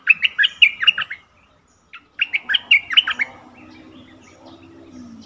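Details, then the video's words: Bulbul kept as a decoy to draw wild birds, recorded 08/08/2021: two lively phrases of tumbling, warbled notes, the second after a short pause, then quiet with a faint low drone. "เสียงนกดอกแตงEp.68นกต่อเจ้าแบงค์ ไม่เถียงนกป่าสักคำ!!แต่?? Suara merbah lekir gacor"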